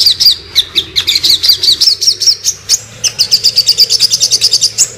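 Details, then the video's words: Sogon bird uttering high, slightly slurred chirps at first, then a dense, quick train of sharp notes; the recording serves as master material for training cagebirds. "burung sogon ngobra"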